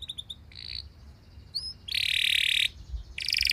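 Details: Canary song meant to trigger other canaries to sing: quieter, noisier recording with short chips, a whistled upslur, then loud dense buzzy trills lasting under a second, over steady background noise.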